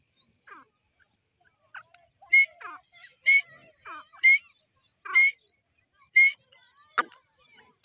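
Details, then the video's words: Grey francolin: loud, clipped rising notes repeated about once a second, mixed with softer chattering notes and a few sharp clicks, in a quiet setting. "Dakni Teeter voice | Gray Partridge voice | Gray francolin voice"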